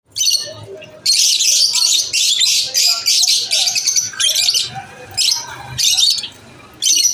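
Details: Lovebirds chirping at lunch time, a dense chorus of high, harsh chattering bursts lasting a second or more, broken by short pauses and sharp single chirps.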